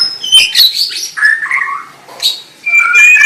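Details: White-rumped shama song with varied whistled phrases and harsh buzzy notes, sliding between high and mid pitches, broken by brief pauses.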